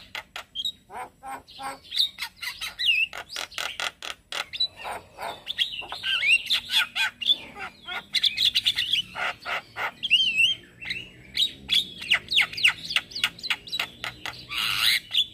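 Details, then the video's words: Male Black-winged starling singing in the morning, used as a lure and tutor song for starlings: a long, fast jumble of harsh chattering notes, clicks and bright whistled slurs, rapidly repeated with uneven rhythm. "Ocehan jalak Kebo Jantan Buat Pancingan Dan Masteran Burung Jalak Dipagi Hari"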